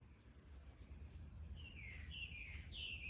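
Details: Blue rock thrush calling on a walk, exchanging calls: three short, slurred whistled notes in the second half, each dropping then levelling, over steady low traffic rumble.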